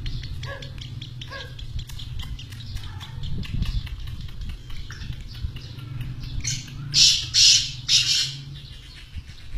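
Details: Kept black francolins, called partridges by their owner: three loud, harsh rasping bursts in quick succession near the end, over steady ticking clicks and a low background hum.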